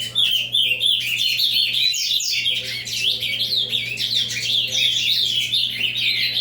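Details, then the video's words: Rapid avalanche-type song from an ultramarine grosbeak, unbroken chattering warbles and high twittering notes after a short dip at the start, a low drone running underneath throughout. "Azulão avalanche"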